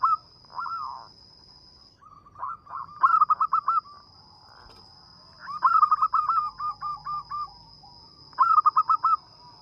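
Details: Local zebra dove with a sweet, small voice used as a lure for trapping birds, giving several bursts of quick, rolling cooing notes separated by short pauses, over a constant thin high tone.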